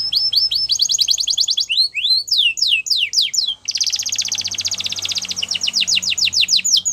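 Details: Canary in full song: quick repeated trills, a series of rising and falling whistled sweeps, then a dense, fast rolling trill lasting several seconds, high and bright.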